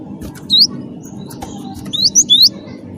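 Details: Cinereous tit of the wingko strain, singing to draw out song from other birds: one isolated high rising whistle, then three more quick upswept notes in a short cluster, over a low continuous rumble.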